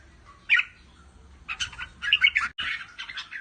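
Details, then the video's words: Pa La-u line red-whiskered bulbul, caged, singing and calling riik; a lone bright note, a pause, then a quick cluster of warbled chirps and trills, with a low hum in the background. "นกกรงหัวจุกสายป่าละอู ทั้งร้อง ทั้งริก นกร้องเบิ้ลๆ ริกๆ"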